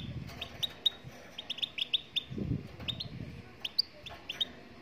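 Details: A Moroccan goldfinch sings a run of quick, high, clear chirps close together, then sparser twittered notes. A brief low muffled noise sounds midway, over steady faint background hiss.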